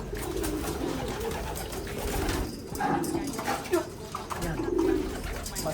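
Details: Loft pigeons from Japan cooing in a group, low throaty rolling coos overlapping steadily, with a man speaking intermittently in the background indoors.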